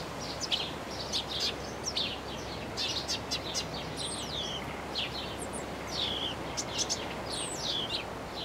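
Eurasian tree sparrow giving a run of short, bright chirps and metallic chips, some rising or falling, over a steady hiss of background noise.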